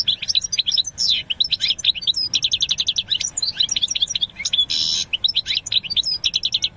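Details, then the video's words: European goldfinch song: a fast, continuous, liquid twittering of high tinkling notes and trills, with brief buzzy rattles mixed in, over a faint low background hum. "الحسون الذهبي , Goldfinch birds beautiful sound"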